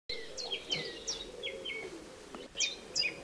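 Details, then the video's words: Eurasian tree sparrow chicks being fed: a busy run of short high chirps, each dropping sharply in pitch, repeated irregularly about three per second, over a steady low hum. "skovspurveunger fodres"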